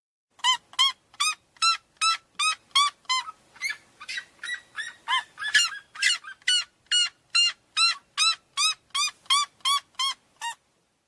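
A Red-legged Seriema gives loud, harsh yelping notes, about two or three per second, in a long even series. Midway a second bird briefly overlaps.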